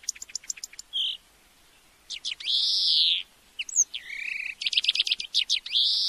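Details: European greenfinch (Chloris chloris) song, used as a tutoring recording to teach a bird to sing: quick high ticking notes, a long nasal buzzy wheeze, short chirps, another drawn-out wheeze, then fast dry trills. Clean, no other sounds.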